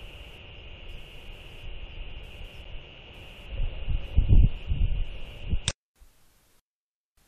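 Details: Low rumbling wind and handling noise under a steady high electronic tone, with a loud burst before abrupt silence and no animal calls.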